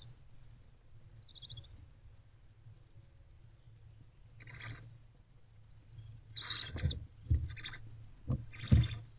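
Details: A hungry barn owlet in an owl box eats a rodent on a February 2024 afternoon; a few short raspy hisses build toward the end, with low knocks and shuffling underneath.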